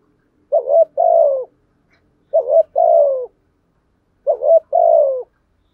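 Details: Lure spotted dove cooing in the prompting style: three evenly spaced two-part phrases, each a brief wobbling note followed by a drawn-out, gently falling coo, separated by clean silences of about a second.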